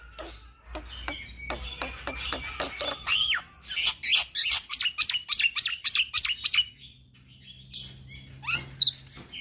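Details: Young black-winged myna singing nonstop as a lure for training birds: scattered dry clicks and a wavering whistle, then a fast run of about a dozen loud, evenly spaced shrill notes, ending with rising whistled phrases.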